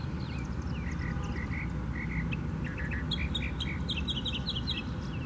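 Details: Northern mockingbird singing at Tattnall Square Park, Macon, Georgia, on 27 May 2015: quick runs of chirpy repeated notes shifting between varied phrases, over a steady low rumble of traffic or wind.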